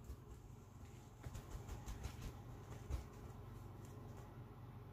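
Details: Quiet low rumble with soft intermittent knocks and hiss, and no animal voice.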